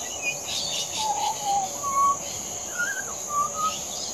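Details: Adult Pied Butcherbird song with a few mellow, pure whistled notes, a low held tone then higher slurred and rising whistles, set against a constant high-pitched insect hum.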